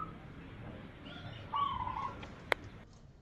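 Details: Champion zebra dove lure call for drawing in birds: one short, quiet phrase of pulsed cooing notes, preceded by faint higher whistles and followed by a single sharp click, with steady background hiss.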